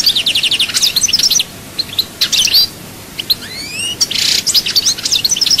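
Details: European goldfinch from Souk Ahras singing in the chaayba style: rapid, loud twittering with bright trilled note runs, buzzy bursts and rising whistled slurs, given in quick phrases separated by brief pauses.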